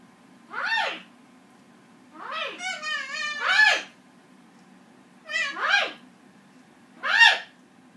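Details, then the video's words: Green-winged macaw singing a duet with a Goffin cockatoo in a quiet room: drawn-out, arching, meow-like calls every second or two, one breaking into a quavering, wavering phrase. The cockatoo screams when not rewarded. "Macaw sings a duet with a bratty cockatoo"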